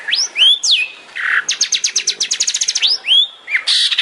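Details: Long-tailed shrike singing in the tembakan style, used as a master for training songbirds: slurred whistles rising and dropping, a low buzzy burst, a rapid run of sharp chips, then more swooping whistles.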